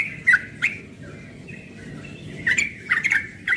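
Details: Yellow-vented bulbul, a young bird in the morning, giving a sparse ropel song: a few sharp chirpy bursts, a soft sustained whistle in the middle, then more bubbly notes near the end.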